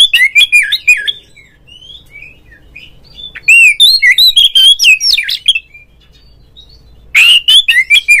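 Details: Kept Oriental magpie-robin singing a provoking lure song to rile a rival into full song and a fanned tail; three loud bursts of rich, warbling whistles and sharp chirps with a quiet gap mid-way.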